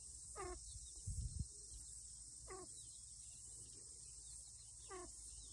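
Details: Wandering pheasant chicks in 2023 chirping on a lawn while the mother is distressed: three clear downward-sweeping chirps about two seconds apart, a brief low thump, constant high-pitched background hiss.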